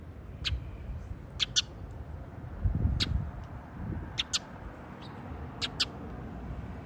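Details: Female bird answering a male's call with short, sharp pip notes, given singly or in quick pairs at irregular intervals of one to two seconds, over a constant low rumbling background noise.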